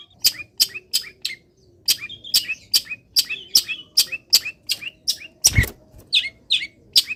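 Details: Caged long-tailed shrike after being misted, in morning sun, sings a fast run of sharp clicky notes, about three per second, mixed with brief twittering phrases and one loud thump.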